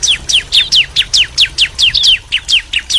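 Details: Bar-winged prinias, male and female, calling in response: an even, rapid series of sharp downslurred chirps, about five every second, steady and loud throughout.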